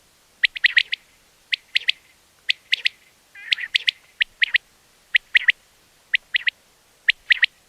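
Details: Evening calls of wild quails: clear, bright three-note phrases repeated steadily, each triplet sharp and whistled, in an otherwise quiet setting.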